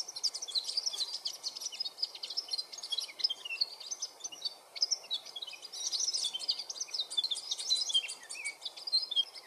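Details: Varied Sittellas at a nest in the Capertee Valley, Australia, filmed from eggs through to fledglings; a dense, continuous chatter of thin, high chipping and twittering notes from several birds, overlapping throughout.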